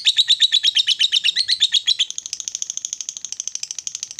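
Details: Female fighter lovebird giving long ngekek chatter, used to provoke rival lovebirds: a rapid, unbroken run of high, sharp chirps about seven a second, shifting after two seconds to thinner, higher, quieter notes.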